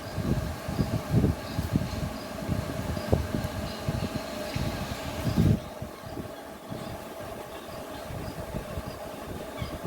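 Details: Indoors, a fan or motor drones steadily beneath scattered low thumps and handling knocks, with no animal voice heard.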